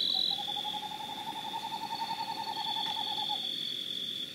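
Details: Santa Marta screech-owl (Megascops gilesi) at night in the Sierra Nevada de Santa Marta, Colombia, 2012, gives a low, even, rapidly pulsed trilled hoot lasting about three seconds, over a steady high ringing of night insects.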